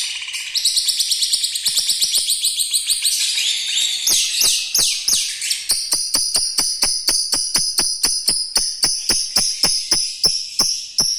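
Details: Lovebird with a rough voice and long chatter, its song holding canary-like phrases, kept as a tutor for young lovebirds: dense buzzy high chatter, then a fast run of sharp repeated clicks about three per second.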